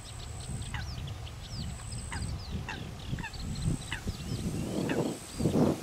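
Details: A female common pochard guards her ducklings as they feed on small water insects. The young give sharp downslurred peeps, several per second, with louder low splashing or handling noise near the end and a high steady whine.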